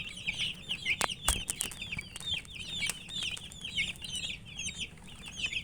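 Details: Thirsty poultry chicks, coloured, peeping for drinking water: steady overlapping shrill cheeps from many birds, short descending notes packed close together, with sharp knocks near the start and a constant low background hum.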